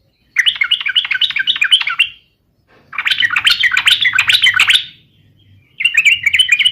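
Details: Yellow-vented bulbul singing energetically, used as a lure recording to prompt other birds to sing: three bursts of bubbly, chattering warbled phrases, fast and jumbled, separated by short pauses, with a faint low hum underneath.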